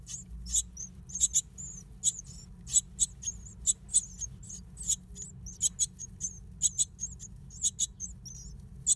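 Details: Great tit nesting in an old stove: sharp, thin high squeaks repeated at uneven short intervals, often in twos or threes, steady throughout over soft low background noise.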